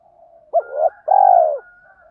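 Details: Spotted dove cooing in the thổ pha đồng voice to entice wild doves: a soft murmur leads into a sharp rising note, a swelling second note and a long sustained coo, with a faint hum behind.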